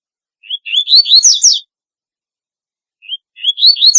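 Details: Double-collared seedeater singing in a distinctive style: a short rising lead note, then a rapid run of high, slurred, climbing whistles ending in a sharp flourish. A second phrase starts after a pause of about two seconds.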